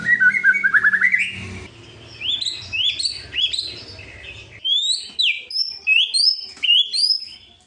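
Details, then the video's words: White-rumped shama singing to provoke rivals: a rippling rising trill, then a fast series of bright chirping notes repeated about twice a second, climbing into high sharp whistles toward the end. "kretekan buat memancing emosi lawan,auto gacor"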